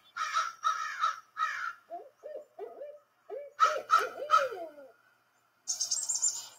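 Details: Barred Owl recorded in a large wooded park along a creek gives its rhythmic "who cooks for you" hoots with slurred, descending ends, mixed with loud, harsh crow-like caws from other birds; a thin high bird call follows.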